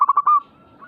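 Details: Zebra dove song fragment used to provoke singing: three or four quick rolling coos running into a brief sustained trill, then near silence with a faint later note.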